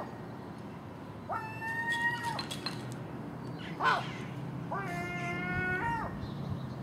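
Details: At a garbage pile outside a house in the early morning, a common gull gives two long, harmonic, level wailing calls, with a short harsh burst between them from the magpie and crow that share the food.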